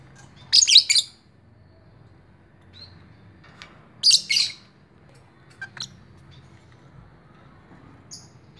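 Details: Lovebird giving two bursts of harsh, buzzy squawks about three seconds apart, followed by faint scattered chirps in a quiet room.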